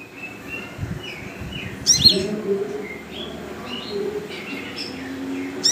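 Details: Tame brown-breasted kolibri ninja, a sunbird, singing actively: thin high chirps and short whistled notes scattered through the clip, with one sharp chip near the middle, over soft background voices and faint music.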